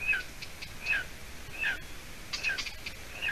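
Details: Young golden eagle in a Latvian nest, evening of 30 June 2020, after the female delivers stringy roe deer hide; sharp high two-part whistles, a clear note dropping into a lower slur, about five calls with faint ticking between.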